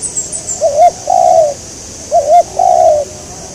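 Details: Spotted dove calling during a trapping session aimed at a local wild bird: two clear two-part coos, a quick wobbling note followed by a drawn-out descending coo, with thin high chirps at the start.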